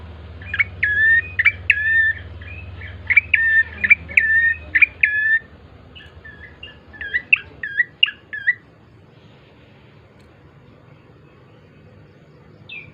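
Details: Bar-winged prinia song meant to lure birds into singing: a fast run of scratchy chirps and flat whistles for several seconds, a short pause, then a second shorter burst, then quiet with low background hum.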